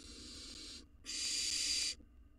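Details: Barn owl nestling, wild and hungry, in a nest box while devouring a mouse: two rough hissing screeches, the second louder and longer, with a short pause between.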